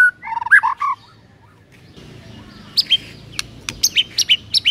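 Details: White-rumped shama master song for training silent birds: a brief burst of warbled whistles at the start, a pause, then a series of sharp high chips and short downslurred notes repeated about twice a second.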